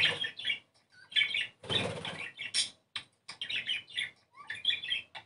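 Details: Budgerigar song meant to bring birds into breeding condition: a quick series of scratchy, twittering chirps and squeaks in short clusters, with brief pauses and a rustling burst in the middle.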